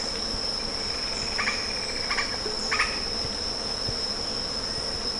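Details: Three brief harsh rattling bursts from a lettered aracari in close succession, followed by quiet, a shrill insect tone steady in the background.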